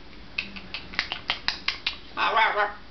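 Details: A female macaw talking on top of her cage gives a quick run of about eight sharp clicks, then a short, raspy, speech-like phrase, while a person talks to her nearby.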